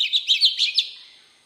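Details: Brief Oriental magpie-robin phrase in wild voice: five rapid sweet whistled notes, evenly spaced and bright, then a trailing echo-like fade.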